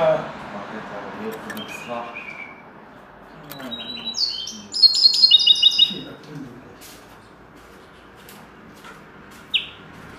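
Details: Common linnet trained to sing in the style of the goldfinch's song: a short burst of rapid, high, twittering and trilled notes lasting about a second and a half, then a lone sharp high note, over a low murmuring background.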